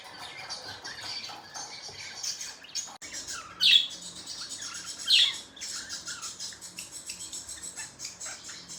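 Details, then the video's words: Pet budgerigars in the morning, chattering continuously with scratchy warbled twitters, broken by two loud sharp squawks a second and a half apart, indoors with a faint low hum. "Budgies chirping sound"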